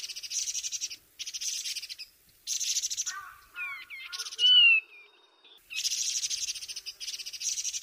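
Taiwan barwing giving a quick run of slurred, down-sweeping whistles and one clear high note, set between bursts of loud, pulsing insect buzz.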